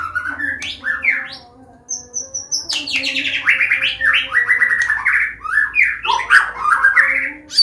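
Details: Dense combination song from a Medan white-rumped shama, used to teach young birds and prompt them to sing: high piping notes, then a fast rolling cascade of slurred whistles and warbles, with a steady low hum.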